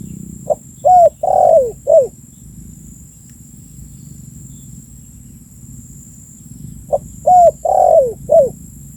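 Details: Lure recording of a spotted dove, two repeated four-note phrases, a soft opening note and three hollow coos with a sagging long coo, separated by several seconds of low background hum.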